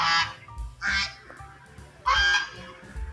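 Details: A farm goose walking around the house and crying: two harsh, nasal honks close together, then a longer third honk after a pause, over steady background music.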